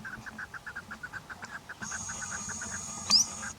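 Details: Chukar partridge repeating rapid clucking notes while a steady high whine joins midway and a sharp squeak sounds near the end.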